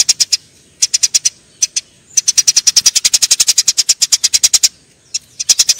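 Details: Fighting Eurasian tree sparrows: a few short chirp groups lead into a long, unbroken stream of loud, rapid high chirps, a pause, then renewed chirping.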